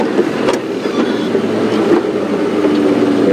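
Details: A steady vehicle engine rumble with some faint tonal hum, and no animal calls.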